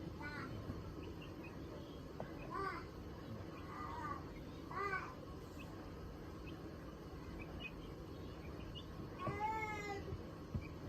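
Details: Call duck giving short, harmonic, nasal calls in scattered bursts, some quick and stacked, with a louder wavering call near the end, over a steady low background hum.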